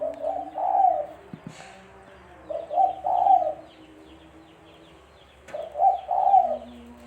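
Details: Spotted dove calling, a recording used as a lure for bird trapping: three low mellow cooing phrases about every two and a half seconds, each a short soft note followed by a longer two-part coo, over a faint steady hum.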